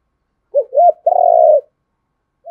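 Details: Provoking call of a spotted dove aimed at a wild rival: two short rounded hoots then a long steady throaty coo, and the start of another hoot after silence.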